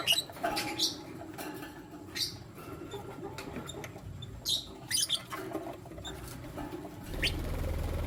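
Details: Lutino lovebirds, a male among two females, utter brief bright rising chirps spaced a second or two apart over steady low rustling and clicks, ending in a louder rumble.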